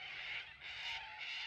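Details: Sulphur-crested cockatoo on a foggy morning near Khancoban, lower Snowy Mountains, Australia: a loud, raspy, grating screech swelling three times, harsher than the chatter of a flock of hundreds of little corellas in the fields.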